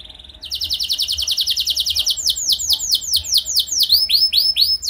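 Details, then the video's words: Canary singing as a lure for other canaries: a steady rapid trill of high notes that slows into broad swooping down-slurred whistles, delivered continuously. "Langsung Gacor Dor Burung Kenari Mana Saja Dengan Pancingan Ini! Pasti Nyaut Ikut Gacor"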